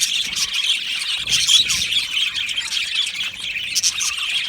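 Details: Australian budgies chirping and singing together in an aviary: dense high warbling and quick twitters from many birds, unbroken from start to finish.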